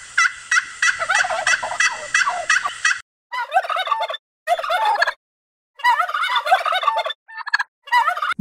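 Turkey gobbling in rapid, bubbling rattles, delivered in four or five bursts separated by short silences.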